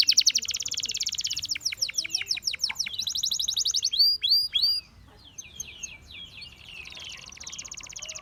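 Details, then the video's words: Gloster canary with a dense buzzy trill, repeated descending notes and a few looping slurs in the first half, then the song drops to a softer, distant-sounding rapid trill. "The Most Powerfull Gloster Canary Singing"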